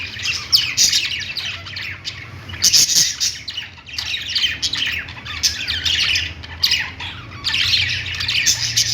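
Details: Pet budgies playing, a dense flock chatter of scratchy squawks and rapid chirps in bursts of one to two seconds, loudest near 2.5 s and 7.5 s, over a steady low hum.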